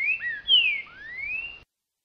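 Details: Boca mole style song of a green-winged saltator in October, the singing season: one flowing phrase of loud whistled notes, a bright falling slur followed by a long rising one.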